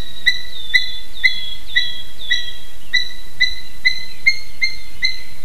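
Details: Two adult Eurasian hobbies visiting a nest in Slītere National Park, Latvia, 9:06 am, 3 June 2021: clear, sharp repeated 'kew' notes about twice a second, some joined by a longer ringing whistle, over faint low rumble.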